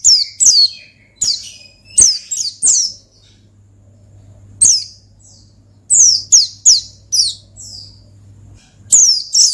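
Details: Oriental white-eye singing in the gacor ngalas style, used to call and provoke a rival: sharp, high, descending chirps in quick bursts of two to four, with pauses of about a second between bursts and a faint low hum underneath.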